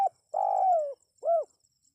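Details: Spotted dove coo meant to make wild birds respond: the tail of one note, a sustained gently descending coo, then a brief rounded closing note, with faint high-pitched hiss in the background.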